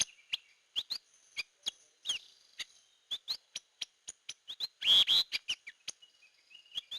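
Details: Hair-crested drongo used as a lure: rapid series of sharp clicking chips and short rising whistles, about three per second, with one loud harsh buzzy phrase midway and soft twitters at the close.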